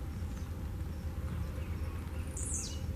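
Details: A single quick, high buzzy note drops in pitch from a blue-black grassquit singing and jumping outdoors, set against steady deep rumble.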